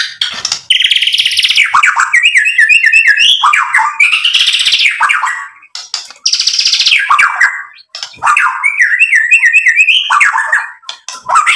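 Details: White-rumped shama singing loudly and almost nonstop as a lure to provoke other birds: harsh, noisy bursts mixed with stepped whistled phrases, each run lasting several seconds with brief gaps.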